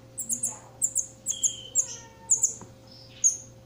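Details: Campo troupial chick calling while being fed: repeated high, squeaky double chirps in quick succession, with one lower whistled slur in the middle and a short click.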